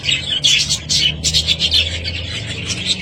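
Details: Short burst of budgerigar chatter, with scratchy warbled notes in quick succession over a faint low hum.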